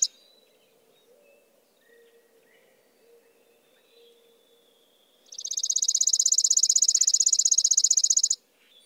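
A chipping sparrow sings one long, dry, rapid trill of high chips lasting about three seconds, after a quiet stretch with only a faint low hum.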